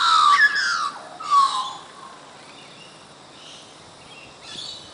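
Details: Australian magpies singing at Coffs Harbour, Australia: two loud warbled, descending whistled phrases in the first two seconds, then a quiet stretch with a faint phrase near the end.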